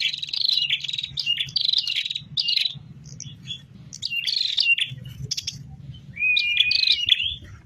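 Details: High, scratchy chirping phrases from a tame, energetically singing prinia, delivered in clustered bursts with short pauses, ending in a whistled, wavering note; a soft low hum underneath.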